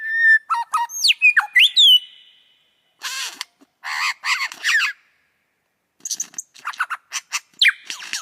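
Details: Lyrebird song with a string of clear, bending whistles and upward-swept notes, then harsh, rasping bursts and a final run of crisp clicks and chirps, no other clear sounds.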